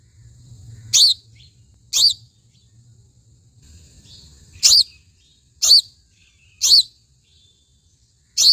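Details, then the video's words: A house sparrow gives six sharp, bright chirps, spaced roughly a second apart with a couple of longer pauses, over a faint low rumble. "Sparrow bird Sound"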